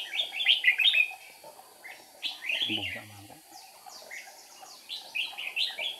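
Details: Red-whiskered bulbul used as a trapping decoy, flicking wings and tail, recorded 8 April 2019; short bright warbled phrases in quick bursts, with a man's voice speaking briefly in the middle.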